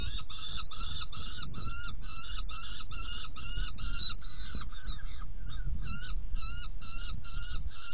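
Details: Saker falcons being fed in a nest box, 17 June 2018, 10:31: a steady, rhythmic series of short, ringing, nasal calls, about three per second, with a brief pause near the middle, over faint low noise.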